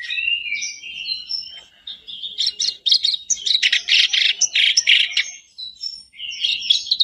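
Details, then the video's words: Bait song of a kerak basi for setting a caged bird singing: wavering whistled phrases lead into loud, rapid, grating chatter repeated several times a second, then more whistles. "Buat pancingan harian kerak basi macet pasti langsung on,bikin kerbasmu gacor"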